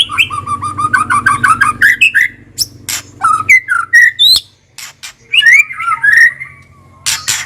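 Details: White-rumped shama kretekan song, played to coax a shama that has stopped singing into full song: fast rattling trills and crackling clicks give way to loud, varied whistles sliding up and down, over a steady low hum.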